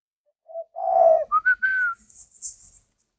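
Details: Spotted dove from a Vietnamese breeder: one short low note, a loud rough low coo, then three ascending whistled notes, the last drawn out and slightly falling, with a brief high rustle afterward.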